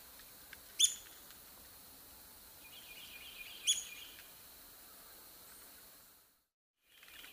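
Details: Red-cockaded woodpecker calling with two short, sharp, high notes about three seconds apart, each an abrupt burst with a faint trailing chatter, over a quiet hiss, then a brief silence.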